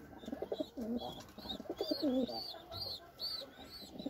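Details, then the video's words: Cooing of a white Indian fantail (Lokkha) pigeon, a domestic breed: deep burbling coos in several bouts with rising and falling inflection, mixed with bright repeated chirping of other birds and soft music behind. "White Beautiful Lokkha pigeon | Indian white Lokkha | Pigeon Sound"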